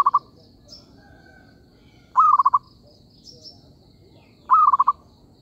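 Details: Zebra dove calls used as a lure for trapping: a short staccato phrase of about five rapid cooing pulses, one slightly longer note then quick beats, repeated roughly every two seconds over faint high chirps of other birds.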